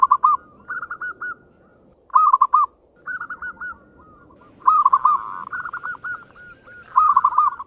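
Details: Local zebra dove singing the quick 'ngayer engkel' style meant to stimulate other doves: repeated bursts of rapid, stuttering coos, with a second, softer dove answering, over low background rumble.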